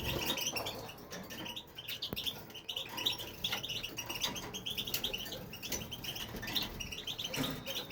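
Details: Male European goldfinch singing nonstop in an aviary: a long, lively chatter of rapid tinkling notes and short trills, with occasional clicks and faint low noise.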